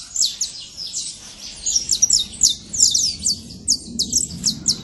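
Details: Saffron finch singing free in nature: a rapid series of high, sharp chirps and short tweeted notes in quick bursts, repeating steadily throughout with faint low background rumble.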